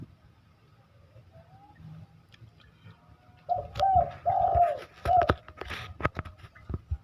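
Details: One low three-part cooing phrase from a spotted dove in full song, long middle coo flanked by shorter notes, followed by a series of sharp clicks or knocks.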